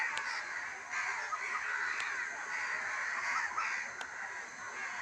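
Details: Evening village crows giving a steady din of harsh overlapping caws, a few sharp clicks standing out.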